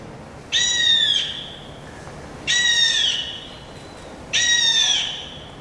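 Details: Hawaiian hawk (io), a native raptor nesting on the Big Island, giving three shrill, slightly descending screams, each under a second long and spaced about two seconds apart.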